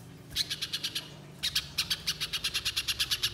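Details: Lively spiderhunter giving a long chattering run used as a lure call in the wild: a short burst of rapid, sharp, high chips, a pause, then a longer steady series of about six notes per second.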